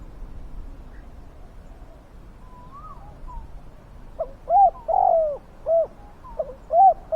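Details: Spotted dove calling as a lure for wild doves; after a quiet start with a soft far-off whistle, a loud run of hooting coos begins, short notes mixed with longer falling ones.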